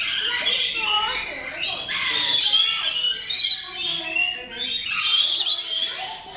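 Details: Rainbow lorikeets being fed up close by a keeper in the Lorikeets Landing aviary at West Midlands Safari Park, UK; continuous shrill, piercing screeches and squawks from many birds, mixed with human voices.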